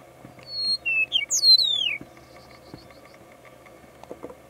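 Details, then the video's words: Meadowlark singing in Central Florida on March 24, 2020: a quick run of clear, flute-like whistles slurring downward over about 1.5 seconds, followed by a faint low hum and a few soft clicks. "Meadowlark song"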